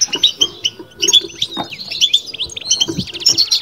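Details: Caged European goldfinch twittering its batbata: short, clear tweets repeated in quick succession, with a fast buzzy trill near the end and faint low knocks.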